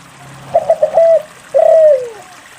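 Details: Single phrase of spotted dove song, used to spur silent doves to sing: four quick clipped coos run into a short held note, then a long mellow coo that sinks at the end.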